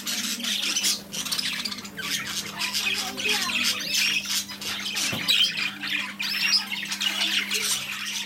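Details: Budgerigars fresh from a new shop delivery keep up a busy, shrill chattering, full of rapid overlapping chirps and squawks, over a constant low hum.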